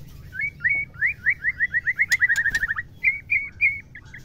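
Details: A female white-rumped shama gives a mating call meant to excite males, a rapid, even series of upslurred whistled notes, about four per second, breaking into a few short looping notes.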